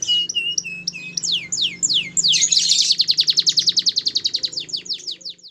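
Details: Song of a canary bred at a bird farm: clear whistled notes and downward slurs build into a fast, even trill of repeated chips, about three and a half per second, fading at the end.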